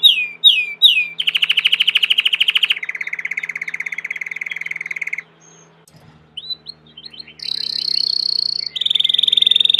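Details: Belgian canary, domestic, singing three slurred notes before long fast rattling trills at lower pitch, a short near-silent pause with faint background, then chirping notes and high rolling trills resume.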